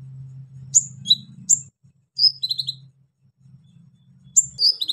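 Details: Brown-throated sunbird delivering harsh song material to stir up other sunbirds: bright high chirps and quick falling notes in three short bursts separated by pauses, with a faint low hum underneath.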